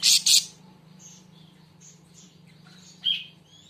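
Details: Siri siri raja, also called siri siri besar, giving two loud harsh high bursts at the start, then thin whistled notes and a later sharp chirp over a steady low hum.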